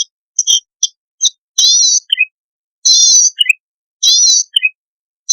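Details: Zitting cisticola, newly caught from the wild, opening with scattered short chips and then giving rhythmic buzzy wavering phrases, each closed by two thin chips.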